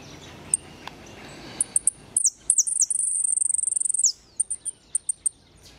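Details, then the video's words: European goldfinch, repique song: scattered thin high chips, then falling slurred notes leading into a long, sustained very high rapid trill that ends in a drop, followed by more spaced chips over a soft background hiss. "jilguero de repique"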